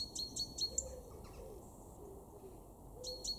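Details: A European robin in a garden in Weener, East Frisia, northwest Germany, in February 2023 gives short, sharp, high ticking calls in bursts of three or four, with a faint low hooting in the background.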